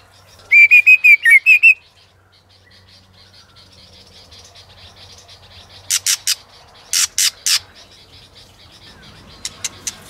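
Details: White-rumped shama in a competitive singing session, where a female is used to stir the male: a short run of clear whistled notes, then silence broken by groups of sharp dry clicks.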